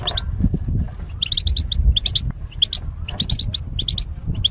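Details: Goldfinches kept in cages as mating pairs separated by wire, singing for song training: evenly spread, sharp high chirps and short twitter clusters over a low background rumble.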